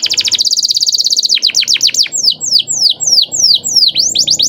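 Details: Canary song in a long roll: a rapid high trill, then a string of sweeping downslurred notes in quick succession, with low background noise throughout.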